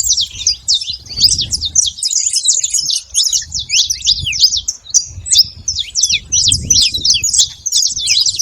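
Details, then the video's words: Saffron finch in nature singing a lively, steady series of high, sharp chirps and downslurred notes in quick succession, with intermittent low rumbling in the background. "canário da terra livre na natureza com belo canto"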